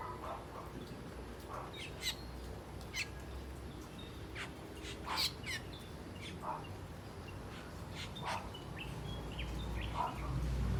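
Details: Asian glossy starlings calling while feeding on ripe papaya: a busy series of sharp, clicky and whistled notes, irregular, several per second at times, with steady low background hum.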